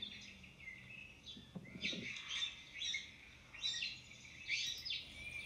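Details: Female Eurasian golden oriole giving harsh, rasping, broadband calls, each a short burst, about five in a row, spaced roughly a second apart, over a faint low hum.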